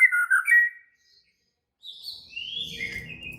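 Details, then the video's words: Worked-up white-rumped shama: a short loud fluty whistled phrase, about a second of silence, then thinner high sliding notes over a low background murmur. "Murai batu langsung EMOSI TERPIKAT suara murai batu ngamuk AKTIF"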